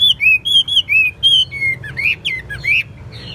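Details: Loud clear song from a caged Chinese hwamei, praised as diligent and fine-voiced: a series of pure, level and gently falling whistled notes, then sharper rising and falling slurs near the end.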